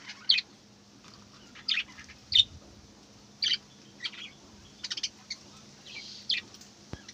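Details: Fairly distant-sounding budgerigar chirps, short separate notes spaced about one to two seconds apart, some doubled, over a steady low hum.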